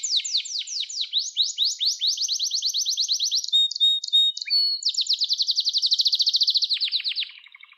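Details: Canary song for training young canaries to sing: long, fast, high rolling trills of evenly repeated notes, a brief run of sharper whistled notes partway through, then another steady rapid trill that fades out at the end.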